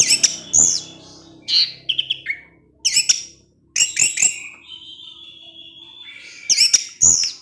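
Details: In the evening an orange-headed thrush sings 'teler' style to provoke other thrushes: clusters of shrill chips and whistles, a long steady thin whistle, then more sharp, clipped notes.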